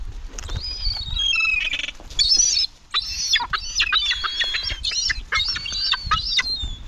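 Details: Several gulls in a cemetery give loud, harsh, wailing calls in quick succession, with rising and falling squealing notes overlapping one another.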